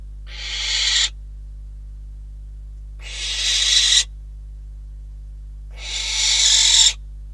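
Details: Catalonian barn owl nest, 12 December 2021, where a bird and a rodent were delivered: three rasping, breathy screeches roughly every three seconds, each rising in loudness before stopping sharply.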